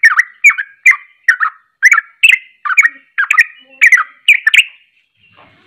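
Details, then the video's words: Agitated sooty-headed bulbul delivering 'ropelan' song to rile rival bulbuls: regular run of brief, liquid chirped phrases about two per second, ending in a short quiet pause. "Ropelan Penuh Emosi Langsung bikin Panas Bunyi Trucuk Lain"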